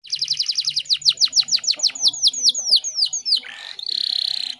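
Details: Female canary in breeding condition from Indonesia, singing to attract a male: a rapid trill slowing into spaced downslurred whistles, ending in a steady buzzy rattle.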